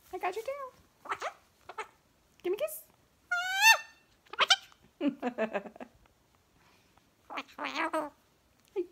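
A Goffin's cockatoo chatters in short, speech-like bursts with a bright rising whistle partway through, while a person talks softly nearby.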